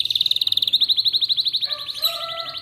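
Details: Morning song of an Atlantic canary meant to get other canaries singing: a rapid high rolling trill slows into evenly spaced chopped notes, then ends with a cluster of clear whistled tones at several pitches.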